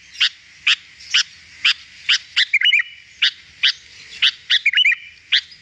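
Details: Sooty-headed bulbul (kutilang) recorded as a lure to draw in wild birds: sharp, bright chirps repeated about twice a second, broken by a couple of short warbled phrases, over a quiet background.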